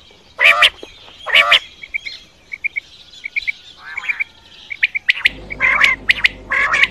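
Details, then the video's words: Quail calling for hunting: two strong harmonic squawks, then soft paired high notes, then a cluster of sharp chirps and squawks. A low hum enters near the end. "Quail Voice Sounds For Hunting Raat Ki liye Saaf Awazay Quail sounds Batair Ki Awaz"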